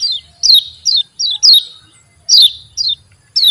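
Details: Javan white-eye giving loud 'ciak' chirps meant to set other white-eyes singing: bright notes dropping steeply in pitch, repeated about twice a second in uneven groups.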